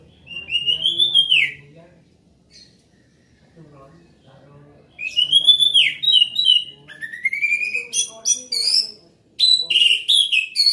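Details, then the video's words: Loud orange-headed thrush song: rich whistled phrases slurring up and down, a pause, then a long varied stream of sweet whistles, rapid trills and mimicking-like notes. "Anis merah gacor volume keras"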